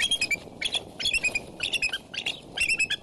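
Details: Female bald eagle at the Decorah nest, 30 January 2012 at 12:27pm CST, softly vocalizing while opening her wings and placing a foot on the male's back to initiate pair bonding; quick bursts of high, thin chittering notes, repeated in clusters.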